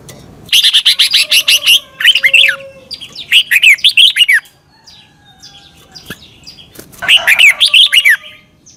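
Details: Red-whiskered bulbul in Thailand, a song for caged birds to copy in the doubled style. One long run of fast chattering notes leads into a series of rich warbled phrases with short pauses.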